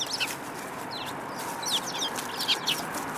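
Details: Sparrows, one young bird with a yellow beak among them, recorded on 21 January 2018; faint high chirps scattered through a steady background hiss, several short bursts near the end.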